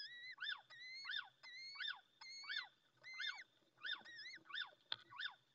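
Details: Wet, just-hatched little owl nestling cheeping insistently until its mother returns, Ávila province, Spain, early morning in May; steady run of bright upward-sliding peeps mixed with falling wavery notes, roughly eleven calls.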